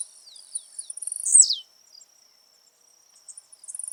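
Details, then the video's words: Blue-black grassquit singing in nature in the 'de pulo' jumping style: a single phrase of fast, high clicks that builds into a sharp, buzzy downward slur. Scattered faint ticks follow, over a constant thin insect drone. "Tiziu Gravado ao Vivo na Natureza"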